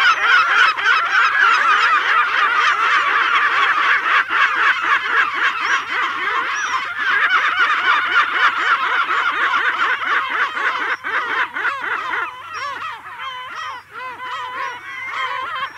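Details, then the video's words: Close-up adult lesser black-backed gull giving long calls, loud harsh laughing notes rising and falling in quick runs of about four a second, other gulls calling over one another; the gull then attacks a juvenile. "Lesser Black-Backed Gull. CU Adult Giving Long Calls"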